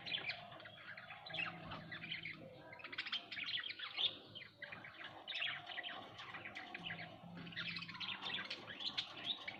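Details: Quiet, somewhat distant chattering of home budgerigars, rippling bursts of fast chirps and warbles with brief lulls, a faint hum underneath.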